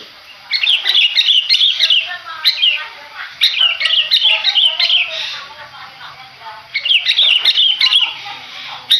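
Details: Madura long-tailed shrike kept for song contests, delivering bursts of fast scratchy chattering notes in phrases of about two seconds separated by brief quieter gaps.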